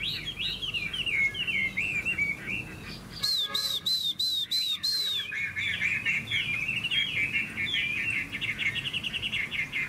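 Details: ['Hwamei in a singing contest among caged birds: varied, bright whistled slurs throughout, interrupted midway by about two seconds of a steady pulsed, evenly repeated tone before the rich warbling resumes.']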